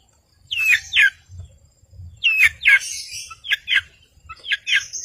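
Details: Long-tailed shrike in lively voice, used to provoke silent birds into singing: paired harsh down-slurred notes repeated in bursts, mixed with short sharp clicks and a faint thin whistle.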